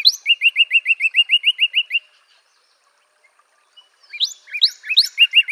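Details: Northern cardinal song: a steep opening upslur, then about a dozen quick, evenly repeated slurred whistles, a two-second silence, and a fresh series of rising sweeps and repeated notes.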